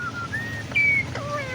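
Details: Indian ringneck parakeet kept as a talking pet; clear whistled tones, one held high note, with sliding pitch, amid repeated spoken greetings of good morning.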